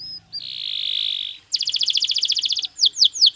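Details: Belgian canary singing naturally, for daily stimulation of pet birds: a sustained buzzy high note, then a fast pulsing trill, ending in three clear downward-curving whistles.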